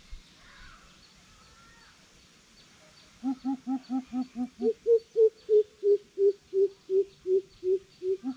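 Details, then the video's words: Greater coucal in a challenge, calling after three quiet seconds: a fast series of deep, hollow hoots, first paired two-tone notes, then single lower booming hoots about three per second. "Siêu bìm bịp thách đấu"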